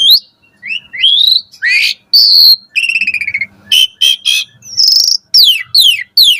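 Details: Morning song of an Asian pied starling, varied and used to tutor caged birds: rising whistled sweeps, a harsh stuttering rasp, squeaky notes, and three loud falling whistles at the end.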